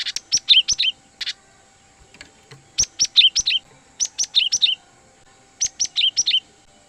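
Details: Lure recording of a cinereous tit for catching wild birds: clusters of high, clipped chirps ending in bright downward-slurred notes, repeated in four rapid bursts.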